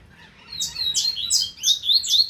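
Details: Brief double-collared seedeater phrase, 2025 season: after a quiet start, a chain of bright, sweeping, rising and falling whistles packed closely together.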